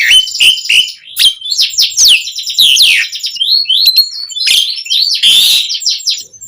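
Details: Asian pied starling (jalak suren) in full varied song used as a lure for starlings; dense tumbling chatter of high squeaks, slurred whistles and harsh buzzes with little pause.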